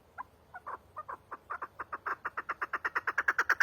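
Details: Chukar partridge call starting with a few spaced, hesitant clucks that quicken and grow louder into a rapid chattering series.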